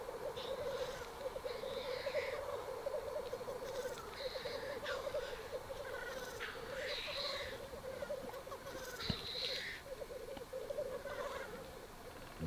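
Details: At a black grouse lek in northern Sweden in April 2021, fighting birds give a steady, low bubbling coo that rolls on without pause, broken every second or two by harsh, hissing sneeze-like calls.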